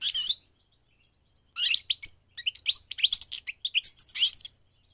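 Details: A short high phrase, a pause, then a long run of quick, bouncing chirps and buzzy twitters from a migrating goldfinch.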